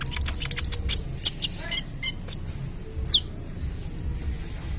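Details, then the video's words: Ruby-cheeked sunbird singing a lively trotol-style song used as a lure: a fast run of high ticking chirps, then sparser notes and one clear falling whistle near the end, with low background rumble. "Masteran Kolibri Ninja (Konin) Trotol Gacor Full Tembakan - Cocok Untuk Pancingan"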